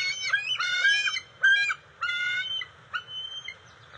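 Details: Two juvenile bald eagles at their NCTC nest on June 29, 2021, around eel and fish deliveries; a run of drawn-out, rich harmonic squeals, several slightly rising, separated by short pauses.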